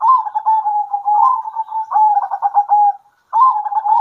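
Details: Local zebra doves trading songs at midday: rapid clipped notes that run into sustained mellow coos, broken by a short pause before another stuttering phrase starts.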